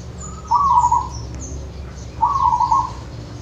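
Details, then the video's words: Wild zebra dove from nature in Wonogiri, meant to encourage pet doves to sing: two rolling, rapidly pulsed cooing trills about two seconds apart, with faint thin high chirps of other birds and a low hum. "Suara perkutut lokal dari alam Wonogiri"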